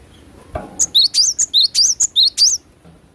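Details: Glatik batu, the cinereous tit, in lively natural song: a quick run of bright, high whistled notes with rising and falling twists, nine or so bursts after a brief low thump.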